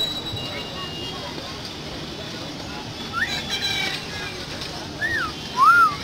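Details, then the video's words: A myna gives three short, clear whistles, rising then falling, the last the loudest, over a steady background hiss of distant traffic. "শালিক পাখির সুন্দর শিস বাজানো দেখুন"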